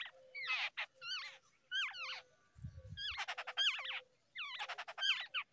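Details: Babbler babies fed in the early morning, uttering repeated squeaky, wavering notes in short groups roughly every second, with a brief low thump midway.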